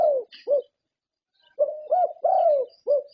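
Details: Award-winning zebra dove from Thailand: a few soft coos, including drawn-out notes that slide downward, separated by a pause of about a second.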